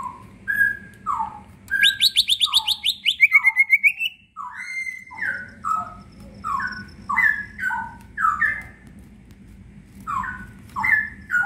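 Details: Full 'gacor full isian' leafbird song, used to trigger lazy green leafbirds: a rapid high rattling trill sliding downward, followed by a long run of bright whistled notes in quick pairs, with faint hum underneath.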